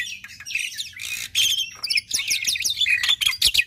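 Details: A black-winged myna in full song to spur other mynas into singing, giving a busy jumble of scratchy chatter, squeaky whistles and harsh rasps with hardly a pause.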